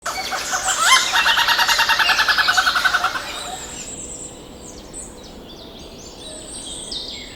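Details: Male Malabar grey hornbill in the Western Ghats, feeding a female sealed in a tree nest hole, gives a loud, harsh cackling series of rapid pulses for about three seconds, then silence as thin, high small-bird chirps continue.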